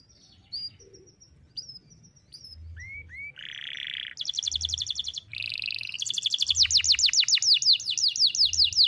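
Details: Canary singing prolifically in one long breath with sharp bursts, used to tutor young canaries: high thin whistles and two downslurred notes, a buzzy block, then fast trills ending in a rapid run of loud rising sweeps.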